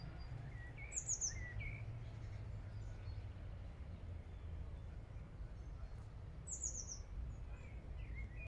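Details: Blue tits in Regent's Park, London: two bursts of very high, thin notes running quickly downward, near the start and again after six seconds, with shorter lower chirps in between, all over a steady low rumble.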